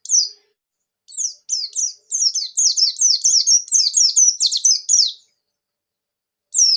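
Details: Buxtoni pleci, a Javan white-eye, singing a gacor ngalas ngerol nembak song used to stimulate other white-eyes: one opening note, then about four seconds of fast, high, tumbling downslurred chirps, closing on a lone note.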